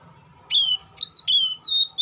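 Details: Oriental magpie-robin uttering five clear, drawn-out whistles, each starting high and sliding down to a steady tone, spaced about a third of a second apart over faint background rumble.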